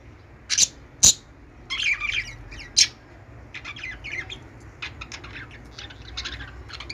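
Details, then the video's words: Pet budgerigars playing with a peach, described as mating; short bright chirps and squawks in scattered bursts, with a few louder sharp calls early on. "budgies playing one peach #budgie mating#"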